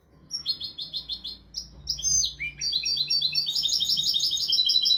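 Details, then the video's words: Tutor song of a European goldfinch, royal style, meant for training young goldfinches and canaries: a rapid series of repeated high notes, a few swooping slurred calls, then a dense, rising, jingling twitter to the end. "تغريد طائر الحسون ملكي حفاضة لتعليم طيور الحسون والكناري بدون أخطاء"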